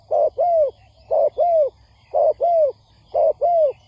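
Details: Spotted dove cooing for a trapping lure aimed at stirring wild doves: four evenly spaced doublets, a short hollow note followed by a longer downslurred one, about one pair per second, background otherwise quiet.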